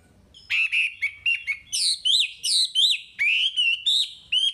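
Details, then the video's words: A Chinese hwamei in full song, used as a lure for untrained hwamei, sings a loud, rich run of clear whistled phrases slurring up and down, with short bright notes tumbling quickly. "Suara Wambi Gacor Untuk Pancingan Hwamei Bahan"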